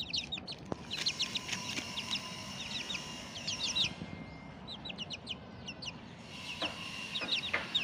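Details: Bangkok chicken chicks out in the morning sun, giving many high, thin peeps that slide downward, in quick bursts and repeated runs, over a low background hum.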